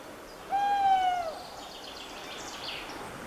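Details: Tawny owls: a clear, drawn-out hoot that holds its pitch, then dips at the close, with faint hissing background afterwards.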